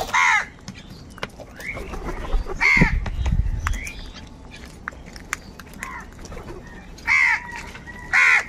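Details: Harsh, grating caws from crows fighting for food: one at the start, another near three seconds, then a closely spaced pair at the end, with a low rumble, clicks and quiet gaps between calls.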